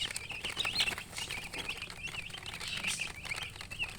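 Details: Chicks of the domestic chicken chirp busily: sharp, high peeps repeated densely and overlapping, over a light rustle and pattering.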